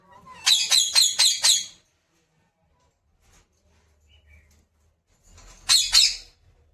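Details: Talking pet parrot, trained to speak, producing a rapid series of four rasping, harmonic-rich syllables, a long quiet pause, then two more loud, harsh syllables.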